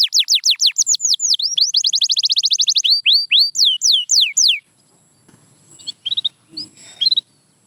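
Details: Canary song played to coax quiet canaries into singing, from Belgian, Spanish Timbrado or Russian canary training audio: rapid high descending whistled notes in fast rolling tours for about four and a half seconds, then a few faint scattered chirps.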